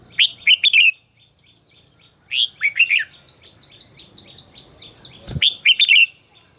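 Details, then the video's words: Red-whiskered bulbul in voice training, singing quick phrases of three or four rich, bubbling whistled notes, repeated at intervals, with a faint series of thin high ticks between phrases and one soft low thump. "luyện giọng chào mào hót hay - căng lửa, chào mào hót quá phê"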